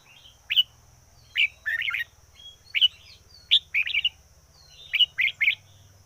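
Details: Decoy red-whiskered bulbul delivering an energetic run of song: short, bright, chirpy phrases of two or three rolling, liquid notes repeat closely through the passage, over a low steady engine-like drone and a thin high hum.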